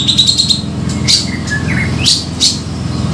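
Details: Grey-cheeked bulbul lure call used for trapping birds: short bright chips near the start, then scattered sharp high notes and brief whistled slurs over a steady low mechanical hum.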